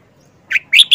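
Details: Captive red-whiskered bulbul, wild-caught and caged for four months, begins its characteristic song phrase: a short chirp followed by two loud, sharp whistled notes, the phrase cut off at the end.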